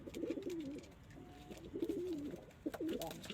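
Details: Domestic pigeons, local, Indian, Chinese and homing breeds; clear, low rolling coos in three phrases, each rising then sliding down, close and loud.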